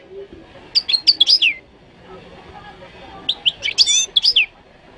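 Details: Two short bursts of bright, tinkling twitter from a Moroccan goldfinch, each about a second long with high liquid notes and a downward slurred ending, separated by a quiet gap.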